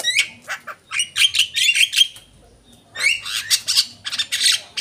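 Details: Lure recording of a Javan myna: rapid, rasping chatter mixed with brief whistled notes, a short pause near the middle, then the scratchy squawking resumes strongly.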